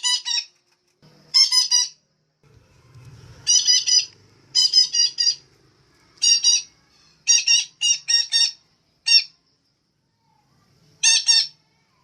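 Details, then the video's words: Pair of caged songbirds, male and female, played to spur kept birds into steady singing; repeated harsh, raspy squawking bursts in irregular groups of one to three, with brief soft low rustling between them. "betet betina merangsang burung agar gacor dan rajin bunyi"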